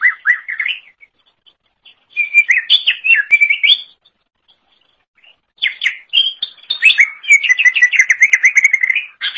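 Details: Cucak ijo or greater green leafbird in lively song used to train songbirds: varied whistled phrases in three bursts, the last a rapid rattling series of repeated notes.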